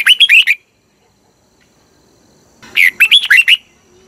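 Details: Thai red-whiskered bulbul song, meant as a decoy or to excite caged birds. Two brisk phrases of rolling, warbled whistles about two and a half seconds apart, each with five or six quick notes.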